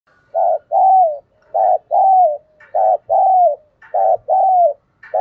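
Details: Caged decoy spotted dove with a 'thổ' voice style, calling to provoke and lure wild doves. Low, mellow coos come in pairs, a short note then a longer falling one, four pairs in five seconds, with faint higher chirps between.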